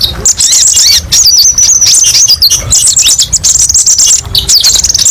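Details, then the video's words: Sharp, high, rapid song of a kolibri ninja sunbird: wavering whistled trills and dense chirp runs with short pauses, played as a training recording for caged birds. "TERAPI BURUNG KOLIBRI NINJA: BANYAK VARIASI TEMBAKAN PEDES & MASTERAN KONIN PALING DICARI"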